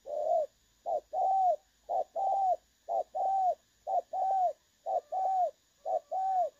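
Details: Spotted dove in the clear-voiced 'đồng son' style, recorded 16 August 2024 for use as a trapping decoy. Paired coos, a short note then a longer arched one, repeat about once a second against a quiet background with a faint steady high hum.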